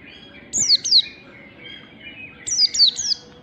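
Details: Morning 'ngalas' song of an Oriental white-eye used as a training lure: a pair of shrill falling chirps, a pause with soft twittering, then three more quick downslurred notes.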